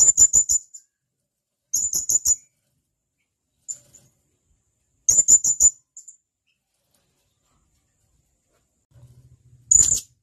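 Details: Blue-crowned hanging parrot, a male calling to a companion, giving very high, sharp chirps in rapid bursts of four to six notes, groups separated by a second or more of silence.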